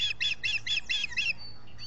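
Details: Osprey at a nest in the US Finger Lakes, three birds present on 19 July 2021, captured by a solar nest camera. Six loud, shrill, slightly slurred chirps come in quick succession, followed by a faint thin whistle.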